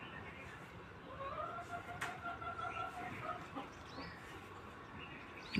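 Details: Aseel rooster, a desi murga, giving one long drawn-out crow lasting about two and a half seconds, a steady harmonic tone held level and then fading, over a noisy background with a sharp click midway.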